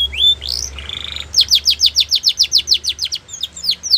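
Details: Belgian canary singing: a rising whistle and a buzzy trill open, then a fast series of bright downslurred notes repeated about three times a second.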